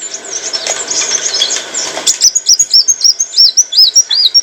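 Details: Olive-backed sunbird singing as training material for cage birds; after a hissy, noisy start, a run of about eight clear arched high whistles repeated at a steady quick pace.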